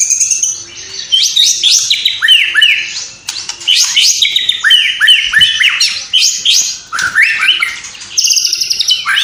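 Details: Loud, continuous song of a white-rumped shama from Cililin, stuffed with imitations of sparrow, fighting lovebird and kapas tembak: rich cascades of swooping, downslurred whistles and chattering notes, rising and falling in quick varied phrases.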